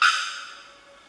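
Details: A Bearded Bellbird at the Asa Wright Centre, Trinidad, in 2020 gives one loud, explosive metallic 'bock' that starts abruptly and rings away over about a second, like a struck bell.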